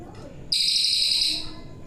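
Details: A captive brown forktail, hand-raised from a chick and now with adult voice, gives one thin, shrill, hissing whistle lasting about a second, very high and steady, over a low murmur of background voices.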